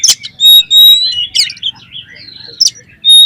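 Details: Oriental magpie-robin singing to provoke other magpie-robins: loud, pure, sustained whistles alternating with harsh buzzy notes and quick chatter.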